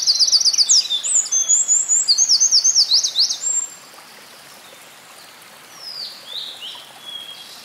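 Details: Wild winter wren recorded on 5 June 2011 at the citizens' forest in Hinohara Village, Tokyo, Japan. A loud, rapid, very high trill of repeated sharp notes lasts about three and a half seconds, then softer distant high notes follow over steady background hiss.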